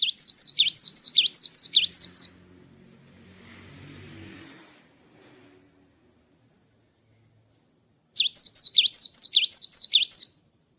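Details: After moulting, a cinereous tit sings two bursts of rapid paired whistles, high then dipping, about two seconds each, separated by a long pause with a low rumbling passing-vehicle sound.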